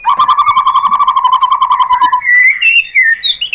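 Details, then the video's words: Singing white-rumped shama, its song played to spur other shamas into singing: a fast, even trill of low whistled notes for two seconds, followed by higher rising and swooping whistles. "bikin MURAI BATU jadi NYAUT GACOR BONGKAR MATERI ¦ PANCINGAN MURAI ¦ SHAMA BIRD"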